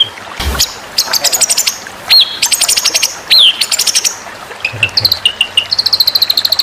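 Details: White-rumped shama in a series of song intended as tutor material for singing contests: sharp high notes, rapid pulsed bursts, swooping downward-hooked whistles, then a run of short repeated high notes with quieter chirps in between.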